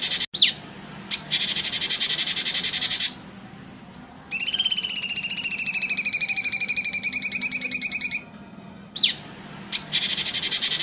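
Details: Kuntilanak-like song of a cucak cungkok (grey-bellied bulbul): a long, rapid pulsing whistled trill of about four seconds, gently falling, set between stretches of harsh hissing noise and a few quick sharp chirps.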